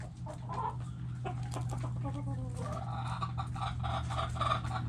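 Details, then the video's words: Backyard chickens in a coop, hens clucking: soft scattered clucks and a few short harmonic calls over a steady low hum, growing busier toward the end. "Backyard Chickens Relaxing Video In The Chicken Coop! Sounds Noises Hens Clucking Roosters Crowing!"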